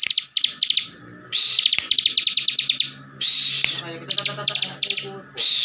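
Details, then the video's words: A kept bar-winged prinia (ciblek) from Slawi, Central Java, in full ngebren song that stirs other ciblek to reply. Fast staccato trills and harsh buzzy bursts repeat over a faint low hum in the background. "CIBLEK GACOR FULL NGEBREN || BIKIN CIBLEK LAIN NYAUT DAN EMOSI"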